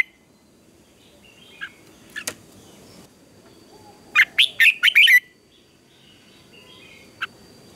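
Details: Red-whiskered bulbul in a morning song contest: one loud rapid phrase of about six bright whistles midway, framed by scattered faint chirps and a few sharp isolated notes.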